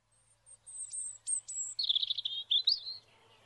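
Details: Robin singing at dawn on International Dawn Chorus Day: a thin, very high opening of drawn-out notes, then a faster warbling run of lower trills and twittering phrases, in a quiet setting with a faint low hum.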